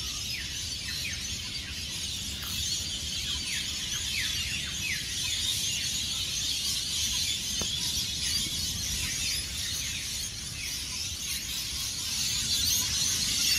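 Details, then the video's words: Rainbow lorikeets by the hundreds call around Norfolk pine roosts on the Gold Coast beachfront at Burleigh Heads, Australia, just before and after departing for the day. Rapid sharp downslurred screeches pour out over a constant shrill roar. "The noise of Hundreds of Rainbow Lorikeets"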